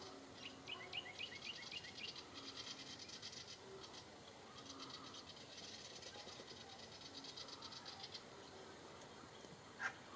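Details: Willie wagtail attacking a kookaburra, giving fast, harsh, high chattering bursts in repeated runs over several seconds, over a soft outdoor background hum.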